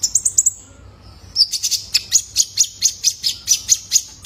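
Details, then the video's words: Brown-throated Sunbird, a young male whose calls serve to stir caged birds into singing: an opening trill of high chips, a pause, then a steady, rapid series of piercing notes over a thin held whistle. "PANCINGAN KONIN BAHAN IKUT GACOR !! COCOK BUAT TERAPI KOLIBRI NINJA - SUARA ANAKAN JANTAN!!"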